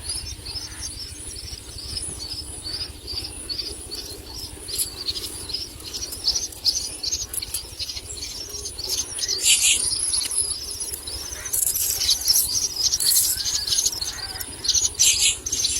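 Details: Common myna chicks being fed a lizard by a parent. A long run of shrill, high chirring bursts grows louder and more frantic toward the end, with occasional wing flutters.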